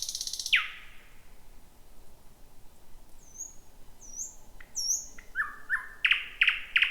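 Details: Thrush nightingale in song near midnight, the first of 2026, in a jungle-like thicket: an opening rattle and a descending note, high slurred whistles, then loud sharp clicking notes repeated about three per second.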